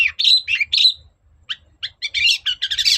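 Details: Long-tailed shrike singing persistently to provoke a reply: harsh rasping notes with whistled overtones, a brief pause, then rapid scratchy chattering phrases tumbling together and rising into shrill squeaks.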